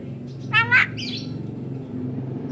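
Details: A tame Javan myna, a pet bird said to talk and cough, gives two loud harsh rasping notes in quick succession, then a fainter squeaky sound, over a steady low hum.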